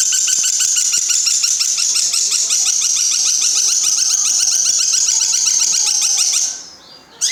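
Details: Long-tailed shrike singing a song filled with imitations of lovebird, sparrow and grasshopper: a rapid, continuous, high-pitched scratchy chatter of densely repeated short notes, steady and loud for over six seconds, then stopping abruptly in a quiet room.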